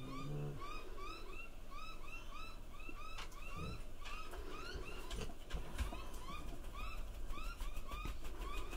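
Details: Juvenile grey butcherbird giving begging 'feed me' calls while trying to swallow an oversized cicada: short, arched, whistled chirps in quick steady succession, over low traffic rumble and occasional sharp clicks.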